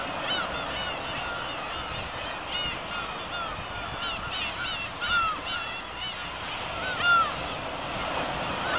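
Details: Black-tailed gull colony, Kabushima, 2 August 2012 after fireworks: bursts of rapid, yelping cat-like calls in quick series, plus two clear, long, slightly falling mews standing out over the crowd.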